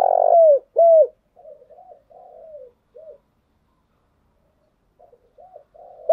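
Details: Spotted dove song used as a lure for training decoy birds. Two loud, mellow coos open the phrase, followed by softer, lower, descending coos, then a quiet gap and faint coos resuming.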